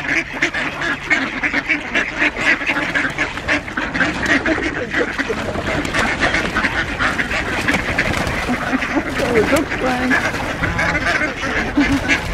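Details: At feeding time on Diss Mere, 17 December 2022, a dense chorus of many ducks quacking and chattering over each other, with a few honks from two geese and some human voices and laughter mixed in.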